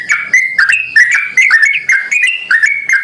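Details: Yellow-vented bulbul giving its lure call so other bulbuls reply: a quick string of clear, liquid whistles, slurring upward and downward, chained tightly into a rippling phrase.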